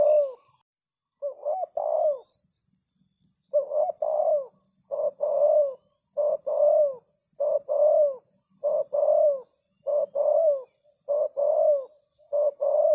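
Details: Decoy spotted dove cooing to attract wild doves, giving a long series of around a dozen paired phrases. Each phrase is a brief low note and then a drawn-out, gently descending coo. High rhythmic insect chirps run throughout.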